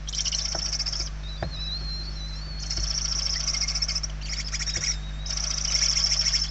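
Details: Barn owl nestlings, hungry, begging in the nest interior in Spain in late November 2023; rasping, finely pulsed screeches in long bouts of about a second or more, with a thin faint whistle and soft knocks between.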